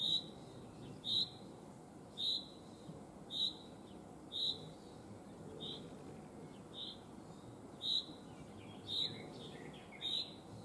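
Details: Common chaffinch (Fringilla coelebs) in the Netherlands giving short, sharp, high single notes repeated roughly once a second, about ten in all, with a few softer notes between them over a steady low background hiss.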